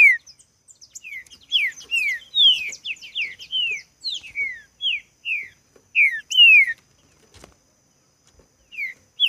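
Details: Green-winged saltator singing a lot during a contest: a long sequence of bright, downslurred whistles, some doubled, pouring out for about seven seconds before a pause and a fresh start, with soft high chirps in the background.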